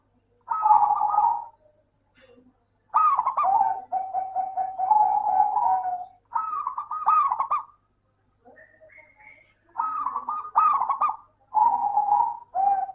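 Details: Local zebra dove singing to prompt lazy doves: an opening burst, then a long stretch of rapid, rolling coos in linked phrases, with a few faint notes in the pauses and a clean background.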